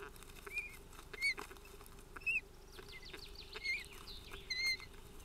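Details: Ospreys scuffling at their nest, filmed by a live nest camera on 25 June 2018: short, clear whistled chirps, some with a quick upward or downward slur, come at irregular intervals about once a second over a steady low hum.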